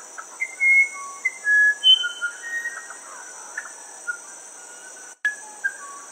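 A Band-tailed Manakin gives clear, pure whistled notes at varied pitches, some level and some gliding, spaced irregularly over a steady high insect drone.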